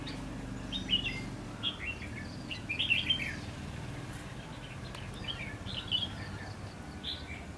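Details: Red-whiskered bulbul singing in bushes during trapping at Lương Sơn; fairly faint chirpy warbled phrases scattered through the recording, with a low background rumble.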